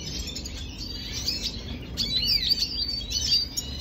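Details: Red siskin from Venezuela, 25 June 2022, giving high twittering song with sweeping slurred notes and rising-falling whistles over a soft low background rumble.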